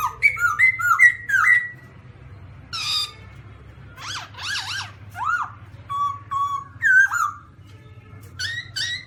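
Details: Black-throated laughingthrush singing a sequence of stepping whistled notes, harsh bursts, loud arched calls, level paired whistles and a final rising whistle, over a low hum.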